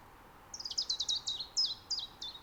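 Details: A Common chiffchaff (Phylloscopus collybita) gives its calling song in mid-spring in an Estonian nature reserve: a quick run of high, thin notes stepping downward in pitch, rapid at first then slower, against faint hiss.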